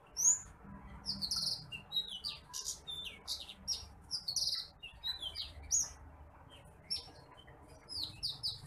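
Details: Bush lark (branjangan apung, titimplik) singing as a tutor recording for other birds: rapid, scattered high chips and short sharp whistles in uneven bursts, with brief pauses, over a quiet low hum.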